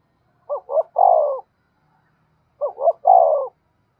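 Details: Spotted dove performing thúc-style cooing to provoke wild doves: two clean low phrases, each two brief hiccuping notes and one longer sustained coo, about two seconds apart.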